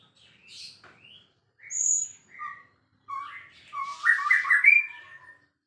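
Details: Varied phrases from a white-rumped shama, separated by short pauses: clear whistles at differing pitches, then a louder rich warbling burst with buzzy overtones near the end.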